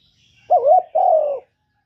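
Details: Spotted dove, a master bird with a single-note 'kuk' style song used as a lure for other doves: one deep two-part coo, a wavering note followed by a longer falling note, in quiet surroundings.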